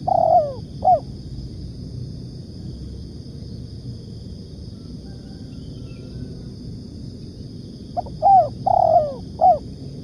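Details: Spotted dove (tekukur) trapping lure: a bright coo phrase at the start, then about seven seconds of quiet background, then another burst of sharply hooked notes and a long coo.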